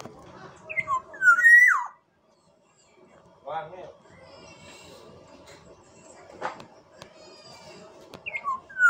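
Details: Black-naped oriole from Sumbawa giving loud fluty whistled notes that slide up and drop between about 1 and 2 seconds in, then a faint later phrase near the end; murmured voices and a sharp click in between.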